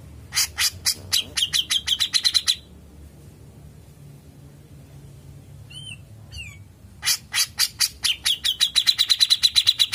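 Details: Grey-cheeked bulbul (cucak jenggot) in full long song, used as a tutor recording: bursts of rapid, sharp chattering notes speeding into a high trill, separated by a pause with two brief whistled slurs.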